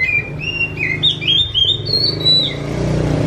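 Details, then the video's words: Oriental magpie-robin whose song is likened to a kitten's meow, delivering quick slurred whistles that step upward, over a steady low rumble of traffic. "Viral burung kacer ini suaranya mirip seperti anak kucing"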